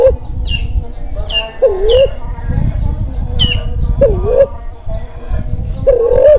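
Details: Kelantan spotted dove in breeding mood, calling to stir silent doves and attract birds; three dipping, rising coos spaced a few seconds apart, with high chirps from other birds and a steady low rumble.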